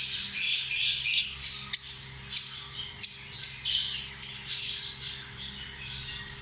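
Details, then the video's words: Lovebirds, small parrots that live in flocks, give a busy stream of high, shrill chirps and squeaky squawks, several sharp clicks standing out, with a faint low hum beneath. "Amazing sound of love birds"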